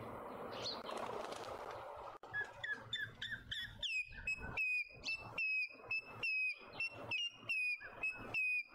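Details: Male African grey hornbill calling in a suburban garden in Pretoria, South Africa: after a noisy start, a long series of bright, sharply down-slurred piping whistles, regularly spaced about once per second, with faint background hum.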